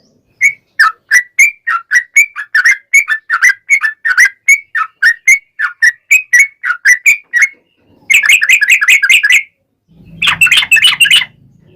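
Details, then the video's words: Trucukan (Yellow-vented Bulbul) singing gacor with ropel panjang trills, meant to provoke other trucukan into song; an even series of bright two-part whistles for seven seconds, then two dense rapid trill bursts, the last over faint low noise. "KICAU SUARA trucukan gacor ropel panjang pancingan trucukan agar bunyi MENJADIKAN trucuk gacor NYAUT"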